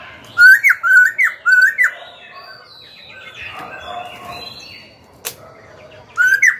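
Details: Young caged Black-throated laughingthrush singing to provoke rival birds and train young birds. A rapid series of four hooked, rising whistles opens the song, then quieter chatter and a click. Two more bright whistles come at the end.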